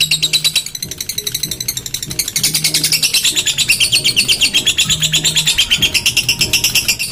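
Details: Lovebird singing in a songbird contest in Comal, Pemalang, Central Java, Indonesia: loud, dense, rapid high chattering and chirping, with a steady low hum recurring in the background.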